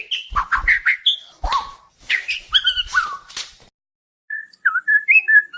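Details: White-crowned shama song, used for training other birds and for prompting them to sing: a varied run of rich whistled notes, slurs and short trills, with low clicks at the start, a pause midway, then softer whistled phrases.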